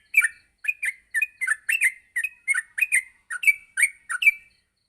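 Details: Yellow-vented bulbul in a morning training recording meant to get other bulbuls singing continuously: short bright chirped notes, each with a quick rising-falling twist, given in pairs and singles at an uneven rhythm for about five seconds, no other sounds.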